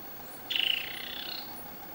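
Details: Single burry, slightly descending call of a Black-cowled Saltator, recorded at Palambla, Piura, Peru, lasting nearly a second against a quiet background.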